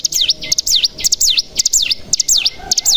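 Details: Bar-winged prinia (cigun) decoy call meant to push other cigun into song. High notes dip steeply down and climb back up, each run opened by short sharp ticks, repeated several times in three seconds.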